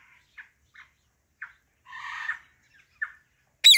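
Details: Female Alexandrine parakeet giving its natural voice: a few short, clipped chirps spaced through quiet gaps, a longer rough buzzy note in the middle, then a sudden loud sharp squawk to close.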